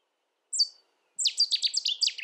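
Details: Cetti's warbler, UK: a single sharp note, a short pause, then an abrupt, loud volley of roughly eight quick, bright repeated notes.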